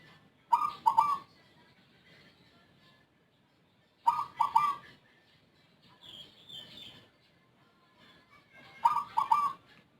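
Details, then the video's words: Caged zebra dove whose voice is described as strange and unlike local or Bangkok birds, a keen, long-lasting caller. Three brief mellow coo phrases spaced about four seconds apart, with a faint higher chirping in the background. "Perkutut Rondosemoyo suara aneh rajin manggung durasi panjang"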